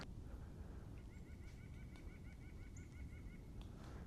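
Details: Two pileated woodpeckers (Dryocopus pileatus) calling to each other in a snowy park on a winter morning at –26°C; a steady series of about fifteen loud, ringing wuk notes, roughly six per second, over low rumbling wind noise.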